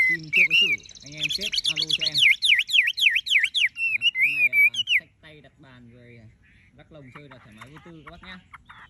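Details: Tame caged Chinese hwamei with golden-yellow plumage, praised for a Bắc Lư singing style: fast rolling warble of rising and falling whistles for five seconds, then softer chatter, with a man talking throughout.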